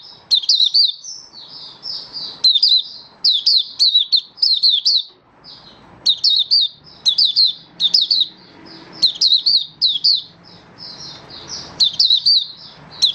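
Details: Malaysian Oriental white-eye singing at length, rhythmic bursts of high, bright chirps in quick groups, interspersed with gentler warbling, in a quiet indoor setting.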